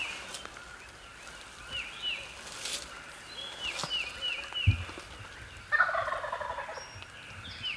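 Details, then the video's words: Roosted Wild Turkey gobbler on Maryland public land, heard during a hunt: one rapid, rattling gobble rolls out late in the recording, while songbirds give repeated high chirping phrases and a faint hum lies underneath. "HUGE Gobbler Right off the ROOST!"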